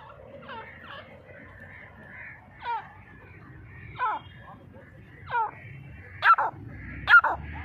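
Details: Grey francolin, known locally as Dhakni teetar, giving loud rising harmonic notes spaced about a second apart, grouped in pairs toward the end, with a low hum underneath.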